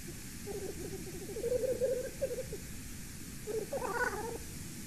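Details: A Black Grouse calls at 6:37 PM on 8 September 2019, heard on a Latvian golden eagle nest cam: low, rolling bubbling notes in two bursts of a second or two each, soft and dove-like, over faint hiss.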